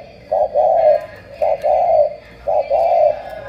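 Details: Spotted dove, described as 'tú', from Cà Mau, Vietnam: three clear coo phrases, each a brief clipped note followed by a longer, slightly falling hollow note, evenly spaced about one second apart.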